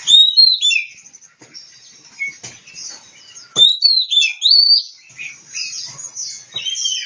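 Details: Kacer, the Oriental magpie-robin, recorded in Kebumen, Central Java, singing bursts of bright whistled slurs and twittering notes, separated by quiet gaps with a few soft clicks.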